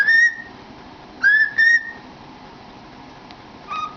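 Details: Cockatiel singing inside a cardboard tube: a pure rising whistle at the start, a paired whistled phrase after a second, then one lower note near the end after a quiet gap.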